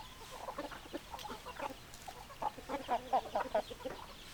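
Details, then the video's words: Hens clucking in short, throaty notes, irregular at first, then a louder, faster series of clucks in the second half. "Chicken Sounds Noises Hens Clucking Roosters Crowing"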